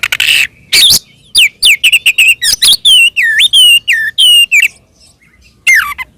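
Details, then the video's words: Oriental magpie-robin fighting song, ngeplong tarung style, used as a lure to provoke other magpie-robins: a harsh buzzy burst, then a run of loud clear whistles gliding up and down, mixed with rasping notes, pausing before a final buzzy phrase. "SUARA BURUNG kacer gacor NGEPLONG TARUNG ini paling AMPUH buat PANCINGAN KACER agar EMOSI NYAUT"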